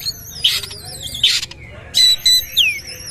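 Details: Oriental magpie-robin singing in the 'nembak' shooting style while performing its bowing 'sujud' display: short loud bursts of high, whistled notes and a descending slurred whistle, separated by brief pauses over a faint low hiss.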